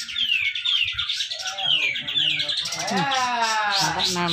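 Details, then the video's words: Contest cucak jenggot (Grey-cheeked bulbul) in Malinau, North Kalimantan, singing tight 'besetan rapet' song meant to prompt silent birds. Quick descending whistled slurs open, then a chattering run of stacked, wavering notes over low background murmur. "cucak jenggot besetan rapet"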